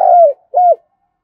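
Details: Spotted dove coo used to excite a wild-caught dove into cooing: a brief end of a drawn falling coo, then one short, clean, arched note, in quiet surroundings.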